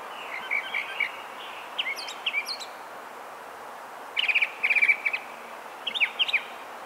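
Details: Northern mockingbird, which mimics other species, sings a melodic song in varied bursts: chattering, warbled phrases around mid-high pitch, then a louder repeated run of notes, with pauses between phrases over soft background hiss.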